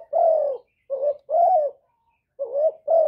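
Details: Spotted dove calling to lure birds, recorded without background noise: low mellow coos in short phrases, each note swelling then gliding down, about five notes in three seconds with brief gaps.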